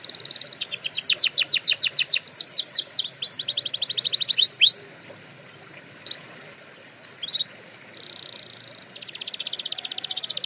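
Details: Canary song for training canaries: a rapid series of downslurred chirps repeated about four per second for over four seconds, then near silence with a few short notes and a faint high buzz at the end.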